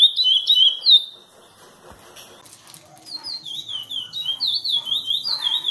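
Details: Chestnut-bellied seed finch (curió) in Praia Grande classic style: a burst of rippling whistled notes, a near-silent gap with a faint click, then a renewed stream of rapidly repeated, undulating whistles.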